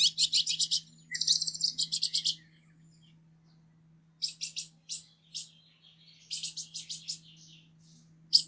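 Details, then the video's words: Green-headed tanager uttering two long runs of rapid, very high sizzling notes, then after a pause a scattered series of short sharp chips in small groups, over a quiet electrical hum. "saira 7 cores o canto mas lindo da natureza"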